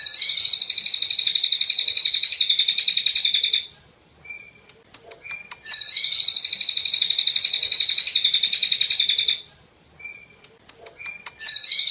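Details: Golden-bellied gerygone (Gerygone sulphurea), a tutor recording for training cage birds: long, dense, high buzzy trills of about four seconds each, separated by brief pauses holding short thin whistles and faint clicks.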